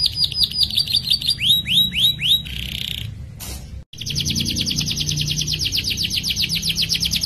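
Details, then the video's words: Lively canary in long rolling song, offered as a master recording for tutoring young birds: rapid falling whistled notes, a brief buzzy rasp and short break, then a fast, steady high trill repeated about twice a second. "KENARI GACOR NGEROL PANJANG COCOK UNTUK MASTERAN SEGALA BAHAN KENARI"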